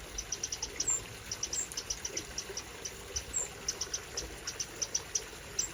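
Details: Eurasian wrens in the UK in spring 2023, parents calling while trying to organise their fledglings: faint, dry, high ticks repeated several times a second in loose bursts over a steady hiss.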